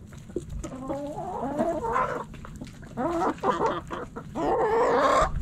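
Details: Backyard hens and roosters pecking and scratching; a hen's rising, drawn-out clucks, then bursts of rapid harmonic clucking, ending in a loud, harsh, rising squawk.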